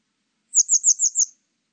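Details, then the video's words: Grey wagtail giving a quick series of five sharp, high, metallic 'tzit' notes, evenly spaced about a sixth of a second apart, with silence around them. "노랑할미새, 1번 듣기"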